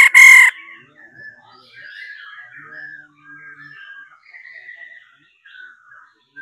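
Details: Female laughingthrush call used to excite males into singing: one short, loud, harsh nasal burst at the start, followed by quiet, rambling, warbled chatter for the rest.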